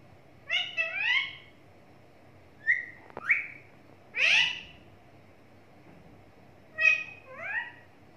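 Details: Pet talking parrot producing a series of short, harmonic, chattering squawks in separate bursts, with one sharp click between them, spread over several seconds indoors.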